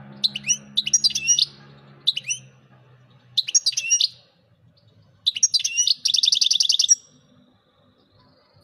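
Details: European goldfinch singing: bursts of bright, twittering notes high in pitch, some buzzy and warbled, delivered in short phrases separated by pauses, ending with a fast rattling trill; a low hum underlies the opening seconds.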